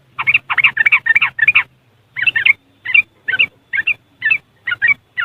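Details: Yellow-vented bulbul in West Java, Indonesia, its ngriwik song used as a lure for caged birds, recorded on an Android phone: bursts of bubbly chattering notes, then single short warbled phrases spaced about half a second apart, with a low hum.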